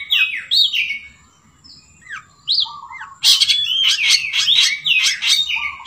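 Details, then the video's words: A clever long-tailed shrike sings a varied medley of clear rising and falling whistles, then bursts into rapid, harsh chattering phrases mimicking a sooty-headed bulbul. "Cendet isian kutilang"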